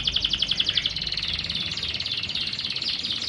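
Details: Canary song meant to coax silent canaries into singing: a rapid, even trill of about a dozen notes per second flows into a long buzzy roll, with a low hum in the background.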